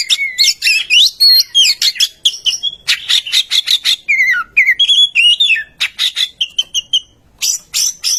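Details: Oriental magpie-robin song used as a lure to get other magpie-robins to sing: rapid, varied whistled phrases with sliding and warbled notes, sharp clicks and chirps in quick succession, ending in high buzzy bursts.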